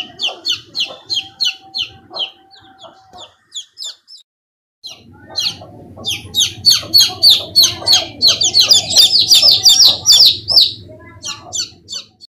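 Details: Chicks of domestic chicken give loud, high-pitched peeping calls repeated about three times a second, pausing briefly, then resuming as a dense chorus of overlapping cheeps over a low background hum.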